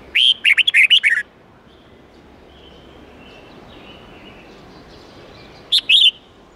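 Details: Forest-style red-whiskered bulbul song, with 8-9-10 twisting notes, for teaching young birds: one full quick phrase of whistled and warbled notes, then a long quiet gap with faint background, and a short partial phrase near the end.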